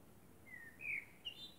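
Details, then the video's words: Common blackbird singing at night under the moon: a faint, brief run of low fluted whistled notes, slightly rising, over a quiet background hiss. "Blackbird sings under the moon"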